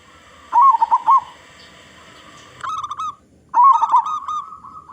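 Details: Local zebra dove with a big voice, used as a lure to set other zebra doves singing: short bursts of warbling, rolling coos near mid pitch, then a steadier drawn-out coo, with brief pauses between phrases.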